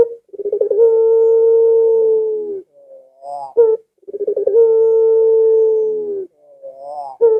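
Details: Barbary dove call used to lure household doves into answering. Two long, level, hollow coos, each opening with a quick rolling stutter, about four seconds apart. Faint rising notes and a clipped accent fall between them.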